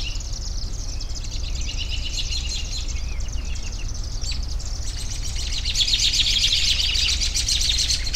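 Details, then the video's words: Several birds twitter together, building in the second half into a dense, busy chorus of rapid high notes, with a low hum beneath. "Bird Sounds"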